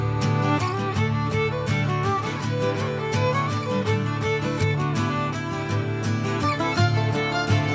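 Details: Lively fiddle and guitar music in a country or bluegrass style plays throughout, with no animal sounds.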